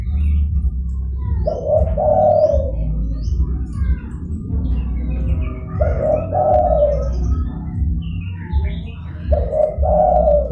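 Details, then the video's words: Zebra dove call meant to lure rival and wild doves: three trilling mid-pitched coo phrases, roughly four seconds apart, amid a low rumble and faint chirping from other birds. "DERKUKU GACOR (DERKUKU PIKAT)"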